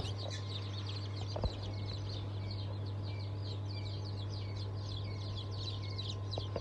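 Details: Newly hatched chicken chicks of several breeds (Blue, Light Brahma, Wyandotte, Sebright, Legbar), 07.07.2023 hatch, peep softly in a busy high chorus, largely covered by a strong low electrical hum and a knock.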